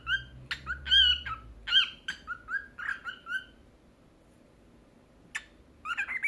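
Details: Cockatiel in training to talk and sing gives a run of short, sharp chirps, falls quiet for about two seconds, then resumes with a few more chirps.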